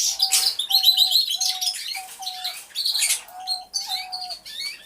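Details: Canaries in an aviary singing, hidden-camera recording. Buzzy high trills and chirps come in bursts over a low, even, repeated hooting tone that recurs roughly every half second.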